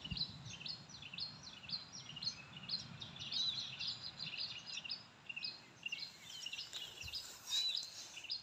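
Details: Adult oriental magpie-robin, a parent bird described as very vocal, singing near oil palm trees while its nest is being searched for. Rapid series of sharp, high chirping and whistled notes, repeated throughout over steady background hiss and low rumble.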